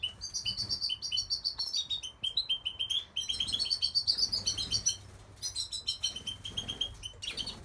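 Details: Goldfinch singing a lively, continuous twittering song of rapid high tinkling notes and buzzy trills, with brief pauses between phrases, over a steady low hum.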